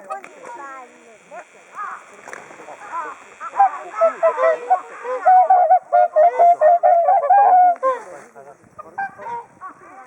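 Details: Flock of whooper swans waiting for food in winter at Hakuchodai Sebatto, Onuma and Konuma lakes, Japan: many overlapping bugling, nasal honks, building to a dense chorus of rapid repeated trumpeting notes, then thinning out.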